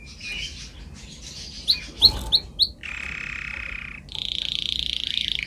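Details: Canary song from a training recording for young canaries: soft warbling, a quick series of sharp rising chirps, then a steady buzzy roll and a higher sustained rattling trill.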